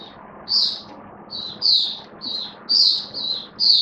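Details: Caged oriental white-eye, recorded 19 September 2022, gives short high sweet chirped phrases roughly every half second, each a bright slurred note, above faint low hum.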